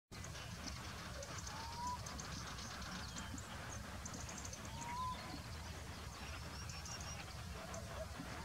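A little owl gives two short, rising whistled hoots about three seconds apart, set against a steady rumble of low background noise.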